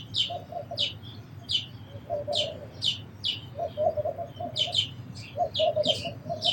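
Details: Sparrow chirps: single sharp, high notes repeated roughly every half second, with lower clucking notes from another bird in between.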